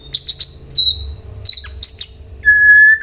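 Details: White-rumped shama singing as a lure for other birds to reply: quick high chirps, short whistled notes, and a long level whistle at the end, with a thin continuous tone in the background.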